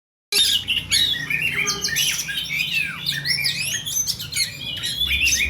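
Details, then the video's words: Oriental magpie-robin (kacer) calling in full 'ngeplay' style: a dense, fast run of varied whistles, sharp rising and falling slurs and chattering notes, nearly continuous after a brief silent start, with a faint low hum beneath. "suara kacer ngeplay memanggil"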